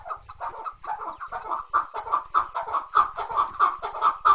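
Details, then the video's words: Chukar partridge calling in a steady series of harsh, clucking chuck notes around the same pitch, about one or two per second, rising slightly in loudness toward the end; no other sounds stand out. "kınalı keklik sesi dinle."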